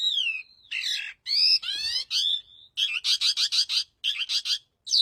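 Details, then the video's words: An adult breeding Calandra lark, apparently in an aviary, sings a fast, varied, continuous high-pitched medley of harsh chirps, rich warbled notes and rapid repeated buzzy bursts. "Indukan calandra lark gacor"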